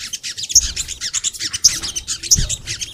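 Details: Crimson sunbird (sogon) in dense high twittering song for a master recording meant to prompt kept sunbirds, sharp accented chirps standing out about once a second.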